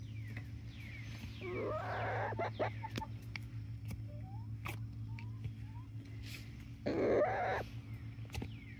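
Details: Chickens in a 19-week-old flock of three Barred Rocks and four Gold Stars in Grimes County, Texas, giving two harsh, rough squawking bursts several seconds apart, with scattered faint clicks and a constant low electrical hum.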